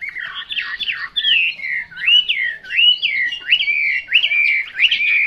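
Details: Chinese hwamei, called "họa mi mộc" in Vietnamese, singing loud clear whistled phrases that slur up and down. Notes come in quick succession, about one and a half per second, with short pauses between bursts. The background is quiet.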